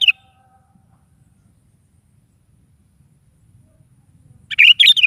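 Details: Sooty-headed bulbul song in the morning: a clipped note at the start, then long quiet, then an energetic bubbling phrase of warbled bursts near the end.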